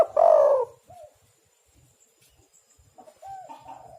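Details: Spotted dove giving one loud drawn-out hoarse coo at the start, used as a lure to trap doves, then near silence with soft distant coos and faint background chirps.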